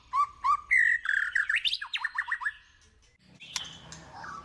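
A female white-rumped shama gives rich whistled phrases, a few rising and falling notes then a quick run of upslurred chips, followed by a harsh burst and quieter background.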